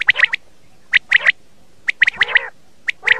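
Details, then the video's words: Common quail call used to lure quail for morning hunting: sharp, clipped notes in tight groups of three, each group repeated about once a second, over a quiet background. "Batair ki awaz subah shikar k leye Bater ki Voice"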